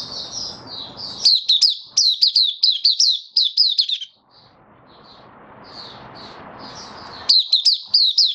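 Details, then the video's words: A kept white-eye, recently dewormed and on health supplements, recorded 18 May 2022, opens its song: a fast, high, twittering song of quick chirps and slurred notes in two bursts, with softer high warbles between. "Mata Puteh Kitaro buka sing"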